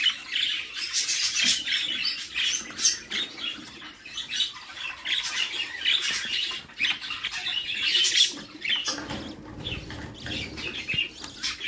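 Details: Budgerigar chicks in a nest box being fed by their mother, giving a continuous stream of harsh, raspy, high squawks that overlap densely, with brief louder bursts and some soft rustling and shuffling underneath.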